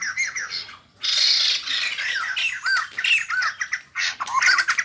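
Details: Caged white-crested laughingthrush in 2020 song training, a bird of southeastern Vietnam and the Central Highlands, pours out a dense, jumbled, harsh chattering song with swooping whistled notes and loud noisy bursts.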